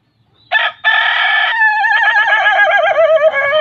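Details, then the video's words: Ayam ketawa rooster crowing melodiously: two loud harmonic bursts, then a long wavering crow that breaks into a fast, rhythmic, laughing trill of about four pulses a second. "Ayam Ketawa Bersuara Merdu"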